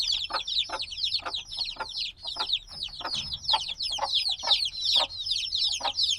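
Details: Black baby chicks hatched a few days ago, still needing warmth from their mother, peeping noisily: a steady overlapping stream of high, sharp, downslurred cheeps, several per second, in a binaural field recording.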